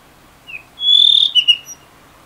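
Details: Blue rock thrush twittering in late afternoon, recorded with a stereo shotgun microphone: a faint whistled note, then a loud sustained high whistle with a trilled edge, followed by two short bright notes, over quiet background.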